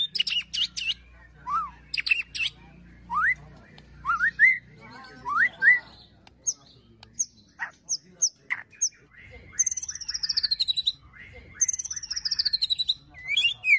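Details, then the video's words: Agitated white-rumped shama 'ketrekan' song with mimicry of cililin, prenjak and tir, used to train and provoke birds: sharp clicks, short upslurred whistles, then fast descending buzzy trills and chattering notes. "KETREKAN MURAI BATU EMOSI TEMBAKAN PEDAS ISIAN CILILIN PRENJAK TIR BIKIN EMOSI"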